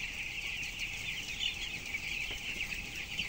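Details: Twelve-day-old broilers weighing 423 grams in a 7,000-bird closed house, giving a steady massed chirping chorus, shrill and continuous, over faint low rumble.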